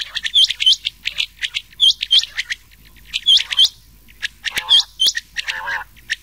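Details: Rain quail calling alongside another quail, a lure sound for night hunting in summer: paired hooked, whistled metallic notes and sharp chirps in short bursts, with a few softer, lower raspy notes between.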